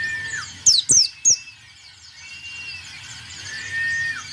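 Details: White-eye producing three loud, high, rapidly falling chirps in quick succession, followed by faint level whistles and a soft warbling background.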